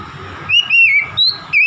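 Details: Oriental magpie-robin song for getting a stressed, silent magpie-robin to sing: a brief string of four clear whistled notes, level and gently falling, over soft low background rumble.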